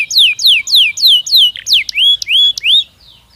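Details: Belgian canary singing naturally: a series of about eight loud whistled notes sweeping down from high to mid pitch, repeated roughly three times a second, the last few turning into upward-curving slurs before the song stops.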